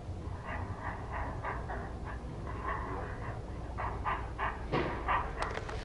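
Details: Nestling herons begging while being fed by the returning parent: fast series of hoarse ticking calls, quickening and louder toward the end, with rumbling noise behind.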